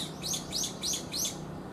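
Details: Calling brown-eared bulbul, a big individual approaching pigeon size: four quick, piercing, upslurred chirps in an even series, each roughly a quarter second apart, with a low steady hum underneath.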